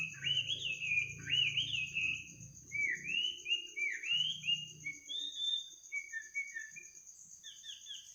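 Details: Bird singing in the middle of the night: varied warbled whistles, some rising, some falling, delivered in short bursts, with a constant high faint tone and brief low rumbles.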